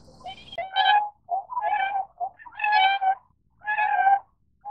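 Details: Tundra swan calling: a series of mellow, nasal honks, each about half a second long, spaced by short pauses, with a brief low noise at the start.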